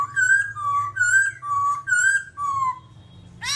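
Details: Babbler singing: clear whistled notes of even pitch, slurring slightly up and down, repeated about twice a second in a steady series, ending with a harsh burst.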